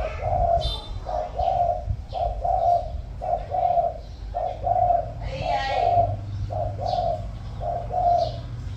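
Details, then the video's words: Caged decoy spotted dove with 'giọng thổ' voice delivers a rhythmic series of soft, low coos at about one per second, with occasional clicks and faint human sounds in the background. "Cu Gáy | 100 | Mồi Lỡ | Giọng Thổ | Gù Tốt"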